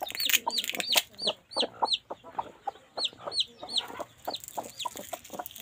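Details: Hens in the nest while laying eggs give rapid low clucks mixed with repeated high curved peeps, loud at first, then quieter.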